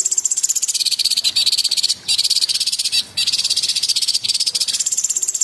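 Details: Rapid, piercing trills from a cucak cungkok in energetic tembakan delivery: continuous high rattling notes at about four per second, alternating pitch and cut by two short silences.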